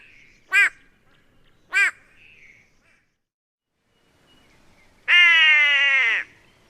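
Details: White-bellied Go-away-bird, a species of arid savannah and woodland usually in small groups, giving its nasal calls: two short arched yelps about a second apart, then a long drawn-out nasal call lasting over a second.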